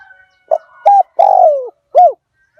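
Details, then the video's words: Spotted dove of an aggressive Liu Tan strain cooing to lure wild doves; a short coo, a flat coo, a drawn-out falling coo, then an arched coo, with a faint thin whistle at the start. "เสียงต่อนก หลิ่วตันสายพันธุ์ดุ นกป่าเรียกกุกเข้าเร็ว เสียงนกเขาใหญ่ป่าเต็ม100"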